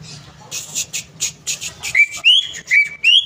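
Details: Greater green leafbird song used to stir a stuck bird into singing: soft breathy noisy pulses at first, then loud clear whistles that rise and level, roughly two each second.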